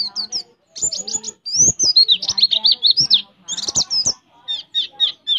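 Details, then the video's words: Oriental white-eye tutor song with prinia imitations: high whistles, a quick series of rapid upslurs, then a run of fast twittering notes and spaced sharp chirps at the end. "Pleci Isian Ciblek Ngebren - Pleci Roll Tembak Speed"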